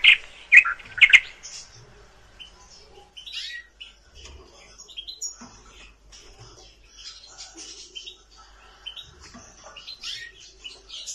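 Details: Nightingale singing: a burst of loud, sharp chirped notes in the first second, then scattered faint high twitters and trills with quiet gaps.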